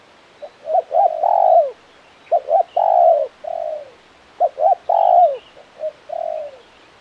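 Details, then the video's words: Spotted dove calling steadily in the crisp KUK 1 style, two full phrases each built from short stuttering coos, a loud long downward-bending note and a quieter drawn final coo. "Suara Burung Tekukur Gacor KUK 1 Mersik"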